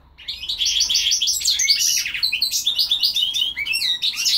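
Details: Hybrid between goldfinch and linnet delivers a lively, jumbled warble of rapid chirps, rising slurred notes and buzzy trills without pause.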